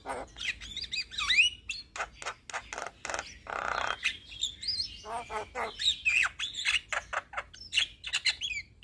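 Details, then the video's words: Young Javan myna singing energetically to train and lure other mynas: dense, scratchy chatter of sharp clicks mixed with squeaky whistles and harsh rasping bursts, notes tumbling rapidly without pause. "Jalak Kebo Muda Gacor Untuk Masteran Dan Pancingan Semua Jenis Burung Jalak"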